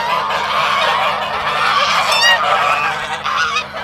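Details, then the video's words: Swan goose on the attack: a short, loud burst of harsh overlapping honks with one sharp, rippling, higher squeal near the middle, above a faint steady hum. "Swan Goose Attack"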